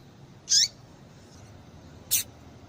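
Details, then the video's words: Female double-collared seedeater call used to stir up males: two short, very high, sharp chirps about one and a half seconds apart, each with a quick downward-sweeping tail, over faint background hiss. "Piado de Fêmea de Papa capim Para Esquentar Papa capim"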